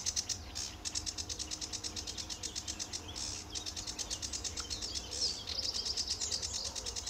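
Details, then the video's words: Sedge warbler at RSPB Fowlmere, early morning, July 2013, delivering a long stream of rapid, evenly pulsed buzzy notes, about three per second, broken by higher thin whistles and quick trills. "Sedge Warbler at RSPB Fowlmere"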